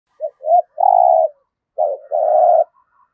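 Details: Decoy spotted dove singing in the deep 'giọng thổ' voice style: a short note and a brief coo, then a long sustained coo, a pause, then another short note leading into a long steady coo.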